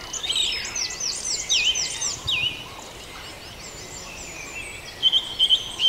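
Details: Farndale dawn chorus with loud sweeping whistled notes from several birds early on. A quieter stretch follows, then sharp, quickly repeated notes close the passage.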